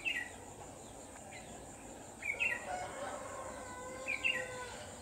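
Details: A decoy red-whiskered bulbul, used to trap birds late on an afternoon of 29 November 2018, sings three brief sharp warbled phrases spaced about two seconds apart, with a lower drawn-out call and a steady hiss behind.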